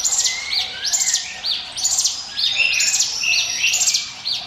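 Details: Hill prinia singing as a lure for other birds, sharp rising chirps strung into fast bursts, about one phrase per second, shrill and metallic throughout.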